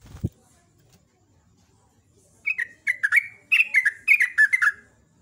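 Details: Morning song of a sooty-headed bulbul, kept songbird in the lively ropel ngecruk style: after a brief knock, a fast run of bubbly, slurred whistled notes, several in quick succession over two seconds.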